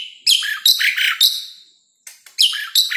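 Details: Asian pied starling song meant to coax lazy caged birds into singing or to lure wild ones: loud, harsh, chattering phrases with bright whistled notes in quick bursts, then a brief pause before more.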